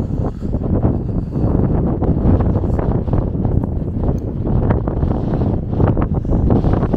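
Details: Strong gusty wind buffets the microphone throughout, a steady low roar with no animal voices heard.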